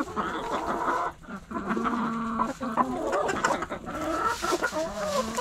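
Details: Several backyard chickens, hens and roosters, cluck almost without pause while pecking and scratching. Their notes are low and throaty, overlapping, and rise and fall in short runs, with a brief lull near the start.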